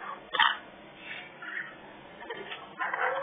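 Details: Baby African grey parrots, three together at a parrot rescue, making a sharp grating squawk followed by several softer rasping, wheezy calls that grow louder again toward the end.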